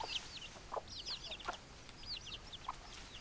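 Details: Chickens calling over steady low rumbling noise: rapid, high, curling peeps in quick clusters, mixed with a few short, lower clucks spaced about a second apart.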